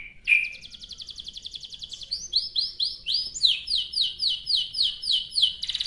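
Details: Canary in long rolling song, used as a lure to get other canaries singing: a fast buzzy trill, then high sweeping whistled notes about four per second, all bright and high-pitched.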